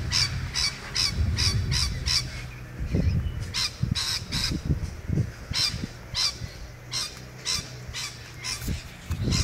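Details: Rainbow lorikeet screeches, harsh and high, repeated in rapid clusters of sharp bursts across the recording, with low-pitched background rumble and thuds underneath; recorded 11 November 2014.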